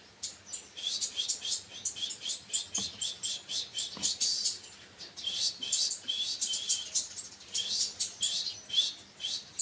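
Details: Kolibri wakul sunbird pouring out a fast, thin, high-pitched twitter of clustered sharp chirps, almost unbroken, with a couple of soft low knocks in the background.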